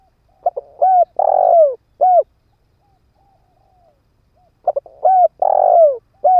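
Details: A spotted dove kept as a ground decoy coos to draw in wild birds. Two identical phrases about four seconds apart: quick stuttered notes, an arched coo, a long vibrating coo and a closing note.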